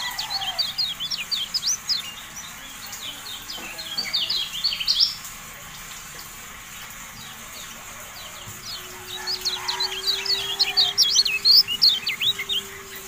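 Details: Javan white-eye, known locally as kecial kuning, in a tutor recording for caged birds: bursts of fast, high, thin twittering notes, then a quiet gap, then another twittering burst over a faint steady low hum.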